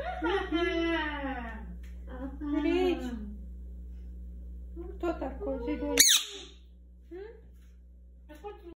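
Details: Pet talking rose-ringed (Indian ringneck) parakeet speaks Russian in a high, nasal, human-like voice, in short word-like bursts amid talk about bathing and water, then gives one shrill squawk over a steady low hum.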